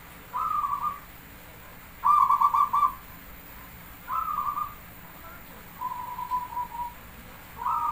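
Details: Javanese zebra dove singing: short bursts of soft, rolling, cooing notes with rapid pulsed beats, each phrase under a second long and repeated every one to two seconds, with quiet pauses between.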